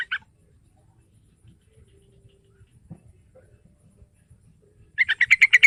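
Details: Yellow-vented bulbul (trucukan) lure for a young bird: a clipped note or two at the start, a long quiet stretch with faint low rumble, then a fresh burst of rapid, bubbly chattering notes to the end.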